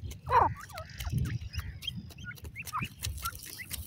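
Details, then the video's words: Young grey francolins give a loud wavering cheep, then a string of thin, softer chirps at uneven intervals, with a steady low background hum. "teetar k bachon ki awaz"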